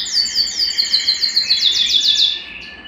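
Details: ['Singing Belgian canary, played to encourage a cold canary to sing. A rapid run of high downslurred whistled notes forms a bright trill, then tapers off into a quiet, thin whistle.']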